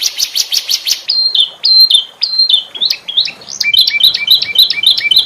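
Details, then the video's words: Canary in lively gacor form, its song used for teaching other canaries: quick pulsed notes, then flat whistles and stepped chirps repeated in rapid sequence, bright and high-pitched. "SUARA KENARI CENGKOK UNIK GACOR||COCOK BUAT MASTERAN||TERAPI KENARI"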